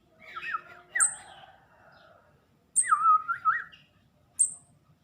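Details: Hand-reared kemade chick begging: wavering downslurred chirp series in two bursts, each introduced by a sharp high tick, with a final isolated tick near the end.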